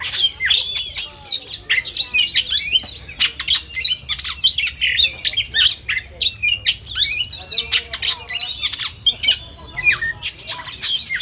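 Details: Oriental magpie-robin contest-simulation song with dense, rapid volleys of squawks, chips and twittering whistles, the bursts coming almost every half second.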